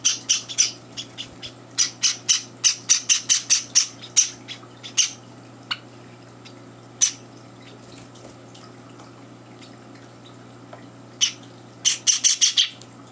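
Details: Java sparrow chicks at feeding time in a home, disrupted by two older birds: bursts of sharp high squawks in clusters, a long quiet stretch mid-way, then another rapid volley near the end.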